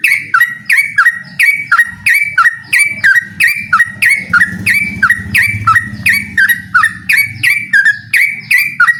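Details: Yellow-vented bulbul, a trucukan calling out a rival, delivering a long run of evenly repeated bubbly whistled phrases, about two each second, loud and clear against a faint low background.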